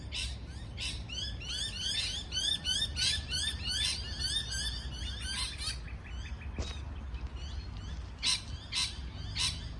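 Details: Parrot chirping in rapid bursts of sharp, rising notes crowded together for the first half, then sparser, scattered calls with a quieter gap, over a low rumbling background.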